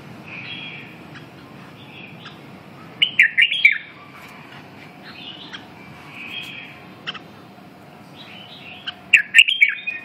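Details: Red-whiskered bulbul singing: short, bright whistled phrases roughly every three seconds, some rising and falling in quick slurred notes, over a steady low background hum.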